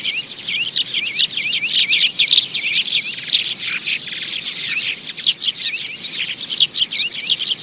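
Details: Sparrow chirps used as a trapping lure: a thick, lively flock chorus of quick up-and-down chirps repeated rapidly by many birds at once.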